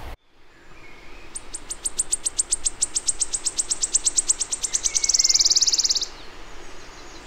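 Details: Wood Warbler song in ancient oak Celtic rainforest, Dyfi Valley, mid Wales, in spring: high, thin ticking notes quickening over about four seconds into a shivering, silvery trill, over steady background hiss.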